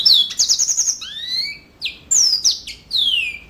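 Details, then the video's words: Yellow-fronted canary singing loudly. A rapid buzzy trill opens the clip, followed by long clear whistles that sweep upward and downward, with brief gaps between them. "Mozambik Gacor Full"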